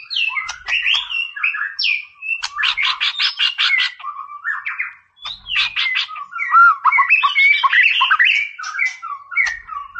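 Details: White-rumped shama in continuous, vigorous song aimed at rousing an opponent: rapid trills of sharp repeated notes alternate with sweeping, liquid whistles, almost without a break for ten seconds.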